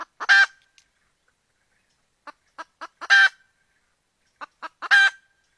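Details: A hen calls out looking for the rooster, giving three drawn-out, raspy squawks spaced about two seconds apart, separated by a few quiet, clipped clucks and short silences.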